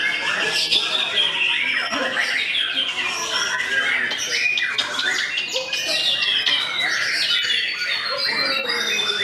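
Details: White-rumped shama singing in a dense, continuous stream of varied whistles, rapid trills and sweeping notes with no pauses, loud and sustained throughout.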